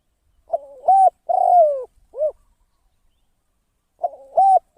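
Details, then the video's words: Spotted dove used as a decoy bird for trapping, giving a cooing phrase: a wavering lead-in, a clipped coo, a long falling note and a short arched coo, then the same opening repeated after a short silence. "เสียง นกต่อ นกเขาใหญ่"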